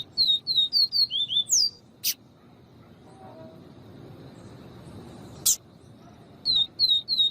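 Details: Double-collared seedeater, viviti song style, with a female calling to excite the male: bursts of high, sharp down-slurred whistled notes in quick runs of about eight, a long quiet gap, two loud sharp clicks, then another run of notes.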